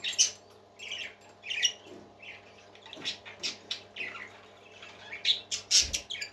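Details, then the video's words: Parakeets singing, described as happy: scattered short chirps and squawky bursts, high and bright, coming in clusters every half second or so with brief quiet gaps between them. "Happy Parakeets Singing"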